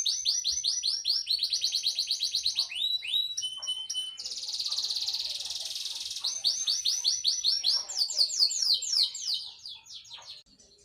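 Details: Canary song of rapid rolling trills and sweeping high notes, broken by a dense buzzy passage in the middle, then more rolled phrases fading out at the end.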